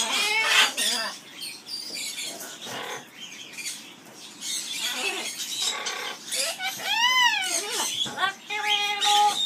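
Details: Pet Amazon parrot singing skimmeradinkadinkadink in an aviary: nasal held notes, then a strong swooping arched call with many overtones, ending on level, sustained tones with hissy noise between the phrases.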